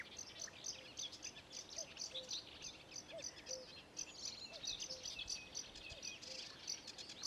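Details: Sedge warbler singing at Ilmatsalu on 26 May 2017: a rapid, continuous chattering of dry clicks, buzzy rattles and high scratchy notes without pause, with soft low short notes recurring in the background.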